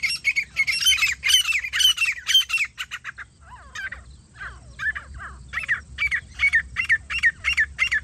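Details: Grey francolin, filmed while being hunted, giving a fast run of loud, harsh, squawking notes about three per second. The series breaks briefly into softer, scattered notes, then resumes in a regular repeated rhythm.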